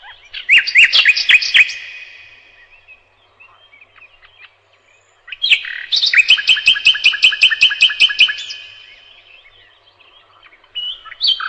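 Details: A nightingale delivers a fast cluster of bright chirping notes, falls silent with faint murmurs, then breaks into a long loud series of rapid, even, repeated notes, followed by another pause.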